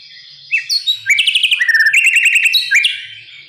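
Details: Energetic oriental magpie-robin song for coaxing other birds to sing: slurred whistles leading into fast repeated chattering notes, then more clear whistles, as a lesson for juvenile birds.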